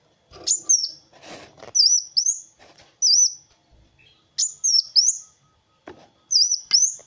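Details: Kolibri wulung sunbird singing actively as a training master for other birds; piercing high slurred whistles come in paired and tripled bursts separated by short pauses, with scratchy noise early on.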